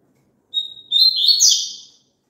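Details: Papa-capim, the double-collared seedeater, in a song played for kept birds to answer: a clear sustained whistle followed by a busy chattering warble of high slurred notes, about one and a half seconds, otherwise quiet.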